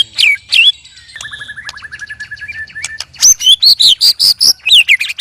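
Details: White-rumped shama sparring with two other birds: a couple of sharp swooping notes, a quick soft stuttering trill, then a burst of loud high whistled notes in fast succession.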